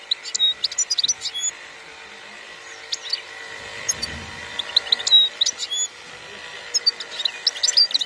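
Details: European goldfinch singing in the khalwi style, 2021. Scattered phrases of high tinkling chirps and thin whistles come in clusters separated by quiet gaps, over a steady humming background.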